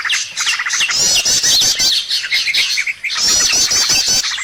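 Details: Trapping lure of birds: a steady stream of sharp, very high twittering and fast rattling trills, repeated quick notes stacked together, easing briefly around three seconds before resuming.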